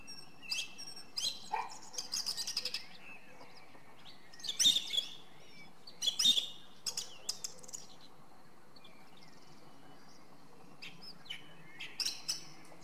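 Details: Song thrush in song: separate loud phrases of piercing, rapid notes, some repeated two or three times, spaced by short pauses, over quiet background with distant birds.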